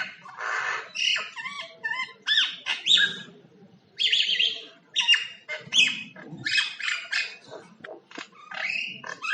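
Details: Common myna making different sounds like singing: a varied run of harsh squawks, gurgles and clear whistled notes, bursts of rising and falling phrases with short pauses between them.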